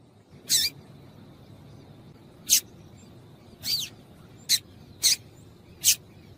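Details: Yellow-bellied seedeater (papa-capim) female call to encourage male song: six short, high, sharp notes, one slightly downslurred, spaced about half a second to two seconds apart.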